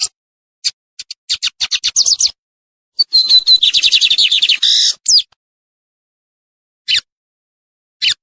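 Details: Bigodinho, the lined seedeater, gives scattered sharp clicks that speed into a dense buzzy trill run with a thin whistled tone, ending in a sweeping note. After a pause come two isolated high chips.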